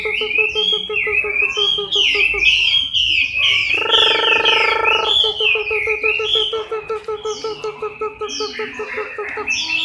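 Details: Chinese hwamei in moult, October 2015: loud whistled notes sliding down and warbling high, over a steady low pulsed throbbing that repeats quickly, with a brief buzzy burst midway.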